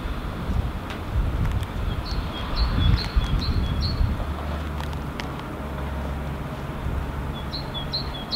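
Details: Great tit singing a two-syllable song in Helsinki, Finland, in February 2016, bird unseen: high paired notes repeated in a short phrase, then again near the end, over loud low traffic rumble.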